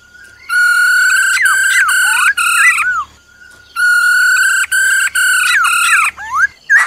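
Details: Two long bursts of the female black-throated laughingthrush's harsh, pulsed rolling trill, each about two and a half seconds, with a few slurred whistles of the forest-style song threaded in.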